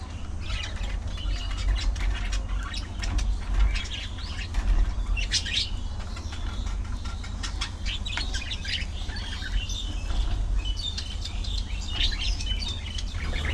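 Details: A lively colony of budgerigars socializing and flying: dense bursts of sharp chirps and twittering from many birds, with wing flutters, all above a constant low droning hum.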